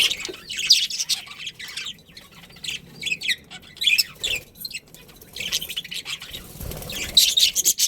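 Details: Budgerigar breeding pair within a colony giving scattered high, scratchy chirps and warbles, busy near the start and end, with quieter gaps between.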